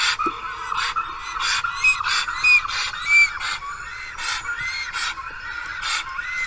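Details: On 10 April in Karula National Park, a lone black stork at the nest calls for a partner that has not come back. Rasping, noisy bursts come about every second, threaded with faint rising-falling whistles.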